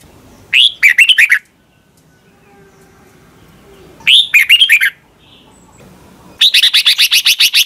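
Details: Red-whiskered bulbul song recorded in Thailand for caged birds to copy: two looping whistled phrases, then a long fast series of about a dozen evenly repeated sharp chirps.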